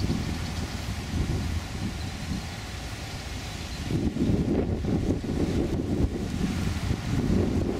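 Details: Steady rumbling wind buffeting the microphone with low, vehicle-like roar throughout and no distinct animal voice.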